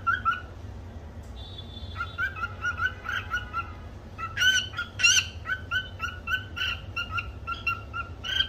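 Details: Pet cockatiel singing a learned tune: whistled notes, a brief steady held tone early on, then a string of quick chirps and squawky accents repeated rhythmically, with a constant low hum underneath.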